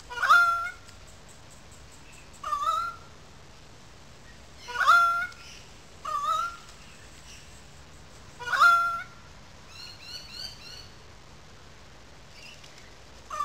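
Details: Currawongs calling loudly in a small gully above the wetlands at Sydney Park, St Peters, Sydney: loud, ringing, wailing, slightly rising calls, about five spaced two seconds apart, with soft chattering from other birds between.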